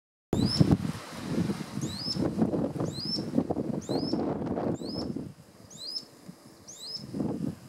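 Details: Rock earthcreeper near Villazón, Potosí, Bolivia, giving sharp, high, quickly slurred call notes about once a second, over low rumbling wind and rustling noise.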